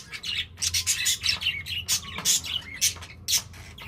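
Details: Pet budgerigars, apparently while eating, chatter in busy, scratchy high chirps and squawks, with bursts several times a second over a faint low hum.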